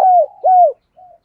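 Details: Spotted dove used to lure others, giving two smooth, hollow coos that each slide downward, followed by a soft quieter note.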